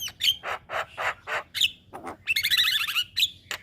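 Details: Javan myna song used as a master recording for training young mynas: harsh rasping bursts alternating with clear whistles and a rapid run of chattering, buzzy notes.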